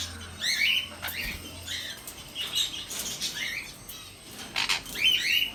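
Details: Sun conure calling steadily with rapid, rising squeaky chirps and harsh squawks, one after another across the whole stretch, with a low hum underneath at the start.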